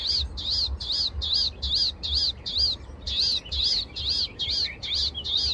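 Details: Palestine sunbird in the morning, giving a rapid, regular run of high, bouncing tweets, roughly two and a half per second, with a low background rumble.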